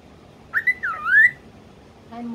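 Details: Pet cockatiel talking, apparently saying "What are you doing?" and "washing", gives a short run of whistled, speech-like syllables that swoop down and then rise.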